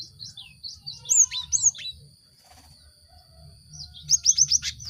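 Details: Cinereous tit song used to stimulate caged birds to sing. Sharp high slurred whistles in a short run, a pause, then a fast run of four bright repeated notes.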